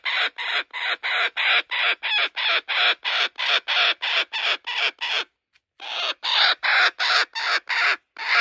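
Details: Laughing kookaburra at a wildlife sanctuary, laughing maniacally while racing off with a stolen joey's toy. Loud, harsh, broadband notes repeat about three times per second in a steady chain, a short pause, then the cackling resumes.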